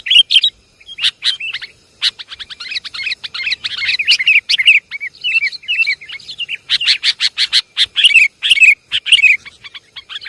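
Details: Busy sooty-headed bulbul lure recording from Java: continuous chattering chirps mixed with fluty up-and-down whistles, several birds overlapping in a noisy, restless stream.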